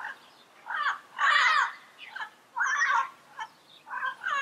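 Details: Yellow-headed amazon giving harsh, raucous squawks in uneven bursts, about five calls in four seconds, the longer ones grating and rough, separated by brief quiet gaps.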